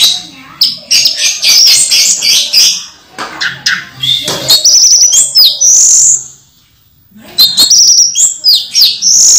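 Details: Moulting captive orange-headed thrush singing steadily: dense runs of sharp, high chirps and whistled phrases in fast bursts, a brief silent gap in the middle, then more rapid high notes.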